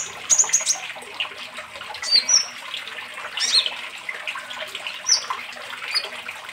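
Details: Van Hasselt's sunbird ("kolibri ninja") gives thin, very high chips and short sharp trills every second or so, over steady splashing running water, in a recording used to train captive birds to sing and fight.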